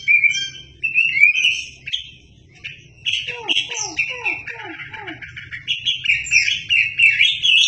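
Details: Wambi song for tutoring shamas: varied high whistles and warbles, a brief gap, then a run of quick lower down-slurred chips under continuing high trilling phrases.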